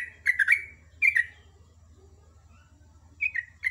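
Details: Sooty-headed bulbul singing in the morning, ropel ngecruk delivery: two bright chattering phrases, then a long quiet gap over a steady low hum before two more short slurred notes.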